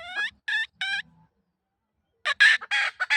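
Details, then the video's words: Hen giving three drawn-out, stacked nasal notes in steady succession, then silence, followed by a loud, harsh burst of cackling notes. "Poj Qaib Tsauj Seev Zoo Heev"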